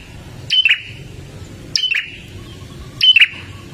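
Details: Olive-backed tailorbird sounding 'gacor dor', used to start caged birds singing: three loud, bright chirps with a sharp click and a short whistled tail, about every 1.3 seconds, low hum behind.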